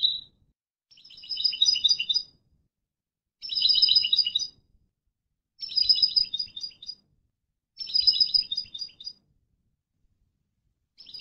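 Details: European goldfinch educational tutor song for training birds: bursts of bright, tinkling twitter, each about a second long, repeated roughly every two seconds, four full phrases with clean silence between.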